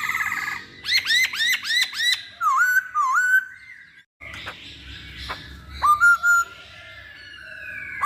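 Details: Masked laughingthrush song used as a lure to provoke other birds to sing: loud whistled phrases with a quick run of about five hooked, rising-then-falling notes, then slurred whistles, a brief pause and further scattered whistles and calls.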